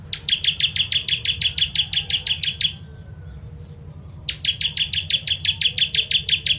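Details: Rapid machine-gun-like series of high, sharp notes from a Bar-winged prinia (ciblek), 'tembakan pedas' song for training birds; two bursts near three seconds long with a brief gap, low hum throughout.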